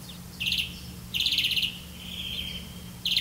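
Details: Grey-capped greenfinch hunting crickets for its young: three loud, buzzy trilled bursts, with a thin, level whistle between the second and third, against a faint low hum.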